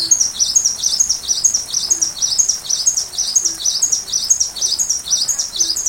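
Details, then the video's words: Sunbird song intended for teaching a white-rumped shama. Rapid, regular high double notes repeat about twice a second, over steady background hiss like rain. "Masteran Rajanya Isian Kolibri"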